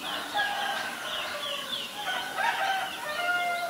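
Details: In Ubon Ratchathani, Thailand, on 17 April 2022, a Black-collared starling mixes scratchy chatter with short sliding whistles and squeaks in a busy, uneven sequence, other small birds chirping in the background.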